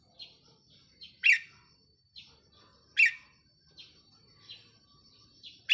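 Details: Red-whiskered bulbul decoy bird in a cage, recorded 4 May 2023; loud bright chirped phrases burst out roughly every two seconds among quieter short notes and a steady high faint tone in the background.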